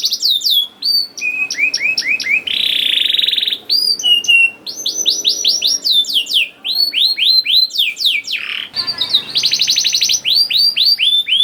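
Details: Young canary singing, meant as a lure for other canaries: busy mix of sharp descending whistles, a harsh buzzy note early on, quick chip series and a fast trill, notes tumbling about four per second.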